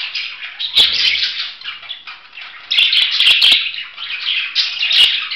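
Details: Budgerigar chatter in bursts: shrill, grating chirps and warbled squeaks come in loud runs with short quieter gaps, punctuated by sharp clicks and taps.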